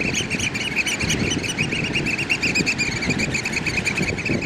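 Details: African black oystercatchers in a territorial piping display: a loud, rapid, regularly pulsed run of shrill piping notes, sustained throughout at an even pace with slight rhythmic swells, over rough background noise.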